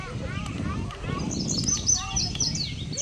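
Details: Indigo bunting male heard in a park, his bright high phrase of clipped, doubled notes coming in after a second while a person talks over the low background.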